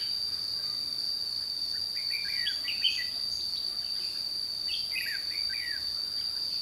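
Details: Red-whiskered bulbul recorded during bird trapping at Chùa Hương on 22 June 2016; two bursts of quick, warbling, chirpy phrases sit over a loud, steady high insect drone that runs throughout.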